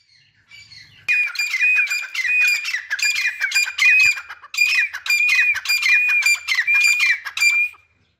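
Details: Grey francolin (teetar) calling: a rapid series of about twelve harsh, ringing notes with a whistled core, delivered in two rhythmic bursts with a brief pause between them, loud and close.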